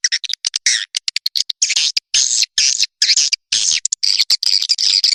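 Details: Recorded swiftlet call-and-roost sound used by Indonesian swiftlet farmers: shrill twittering chirps in quick runs, then longer buzzy chattering phrases with short clicks between them.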